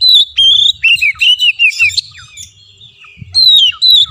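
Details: Lure song of an Oriental magpie-robin for getting a stubborn caged kacer to sing: a quick series of arched, slurred whistles about two or three per second, a quieter gap, then two strong falling whistles.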